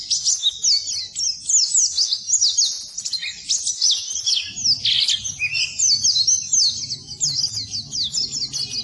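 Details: Oriental white-eye song used as a training recording for birds that have stopped singing. Rapid, high, twittering warble of thin slurred notes, with a few lower chirps in the middle and a faint low hum beneath.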